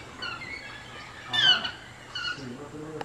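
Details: In Costa Rica in March 2023, a yellow-throated toucan gives three harsh, yelping calls over three seconds, the middle one loudest, with a faint low voice murmuring at the end.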